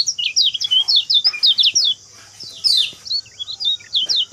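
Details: Kecial kuning white-eye singing as a lure to open the voice of a silent kept bird: quick, high, repeated twitters, a brief lull, then more clipped chirping.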